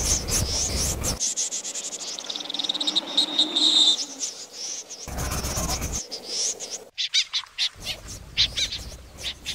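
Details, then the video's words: A snipe lure sound for night bird trapping: harsh, buzzy, high-pitched calls in quick, rapid bursts, broken by abrupt cuts, over a steady hiss with faint insect-like chirps. "tiếng rẽ giun chuẩn"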